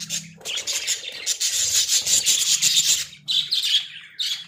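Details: Caged Australian budgies chatter loudly, a rasping, scratchy high warble in long bursts, then clearer rising chirps near the end.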